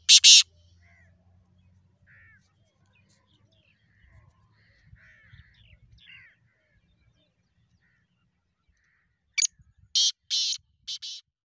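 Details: Calling black francolin (mushki tetar): one loud harsh burst opens, then quiet faint chirps and low rumbling, and a closing run of four harsh grating notes spaced about half a second apart.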